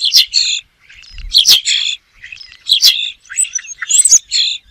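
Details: Rapid series of scratchy, high buzzy notes from a bird, closely spaced with short pauses, some notes layered and chattering, in an otherwise quiet setting.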